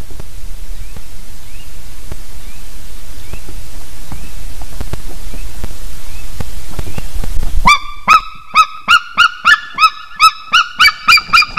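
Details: White-tailed eagle pair in Estonia at dawn, 16 March 2021, on the nest tree just after mating: wind and rumble at first, then from about eight seconds a fast run of loud, ringing yelps repeated several times a second.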